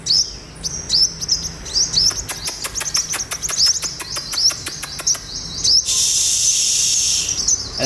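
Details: Olive-backed sunbird, a freshly caught wild bird in the morning, gives high, thin, slurred notes in quick series, with dry clicks between them and a burst of hiss near the end.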